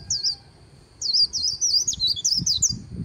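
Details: Líu song of a white-eye beside the Kỳ Cùng River: one brief high chirp, a short gap, then a quick tumbling burst of sweet, twisting high notes over a rumbling low background.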